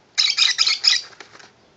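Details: A tame indoor lovebird, pleased with its new box house, lets out a rapid burst of harsh, buzzy chattering notes run together for over a second, then fading into softer clicks.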